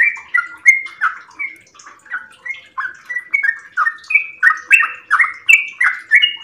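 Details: Sooty-headed bulbul at dawn, a home cage bird in extended song: quieter start building to louder, bubbly downward-sliding notes at about three per second, some higher whistled phrases near the end.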